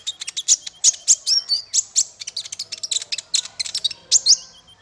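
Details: Dense, loud chattering bird song used as masteran for training small fighter birds: quick high chirps and buzzy notes packed tightly without pause.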